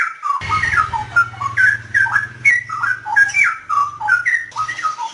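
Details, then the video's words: Straw-headed bulbul song, recording edited to remove disturbing noise: rich, loud liquid whistled phrases that swoop up and down in quick, continuous warbling runs, with a steady low hum underneath. "suara burung cucakrowo"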